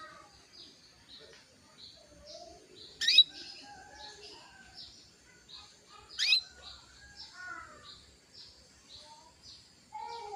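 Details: Female canary calling a male to heighten his breeding urge: two loud, sharp upward-sweeping calls a few seconds apart, set against a steady layer of soft chirps and short whistles from other birds.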